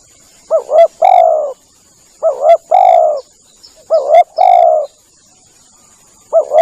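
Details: Lure recording of a spotted dove meant to draw in other doves: paired quick coos then a drawn-out hoarse coo, phrase repeated roughly every one and a half seconds, with a thin constant high-pitched hum behind.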